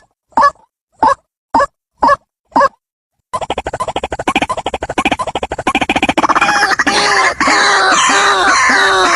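White-breasted Waterhen: five spaced harsh croaks, then a fast, rising chorus of grunting, gurgling notes that builds into loud, layered cries.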